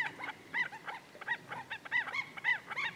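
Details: Black-necked Stilt at Goldwater Lake, Prescott, Arizona, on the morning of 14 May 2017, recorded on a Canon VIXIA camcorder: a fast series of nasal, harmonic yapping notes, about three per second, some bending up then down.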